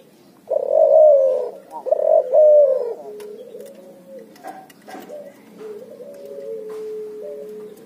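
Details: Hybrid puter × spotted dove (cuhu) in loud ngoar nguku calling: two strong downslurred coos, then quieter drawn-out even notes trailing off.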